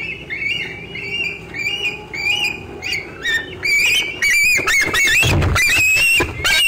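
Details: Bald eaglet squeeing near an adult eating fish, 25 June 2013, 4:45 pm; soft high wavering squeals at first, then louder, harsher, closer squealing bursts packed tightly together.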